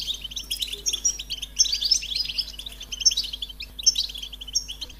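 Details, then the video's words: American goldfinch giving a melodious, high-pitched twittering song of rapid chirps mixed with clear whistled notes repeated roughly every second, over a faint steady background hum. "The Joyful Songs of Goldfinches"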